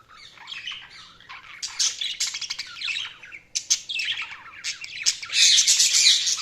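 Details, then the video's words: Budgies keep up a continuous, busy warble of chirps, clicks and squeaky notes that grows louder and denser toward the end. "Budgies Chirping sound"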